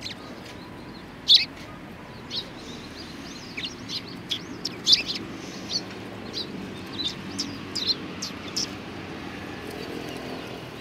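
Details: Several sparrows at a Tenmangu shrine, February 2020, chirping busily: bright, short, high notes of varied loudness, some overlapping, scattered irregularly throughout, with a soft low background murmur.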